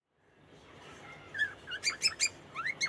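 A cockatiel gives a quick run of bright chirps and short rising whistles, about six notes in just over a second, after a near-silent start.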